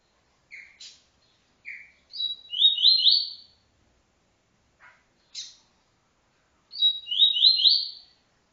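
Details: Double-collared seedeater singing a tui-tui style training song: short whistled notes and clicks, then a bright buzzy stepped trill rising in pitch, the phrase given twice about four seconds apart in a quiet setting.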